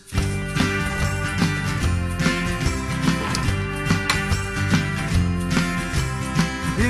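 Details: Upbeat music with a steady beat, bass, and jingling percussion, and no animal voices.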